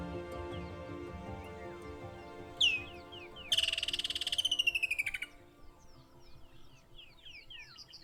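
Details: Woodland Kingfisher in Kruger National Park gives one sharp high note, then a fast descending trill of about fifteen notes in under two seconds; faint other birds and a low hum follow.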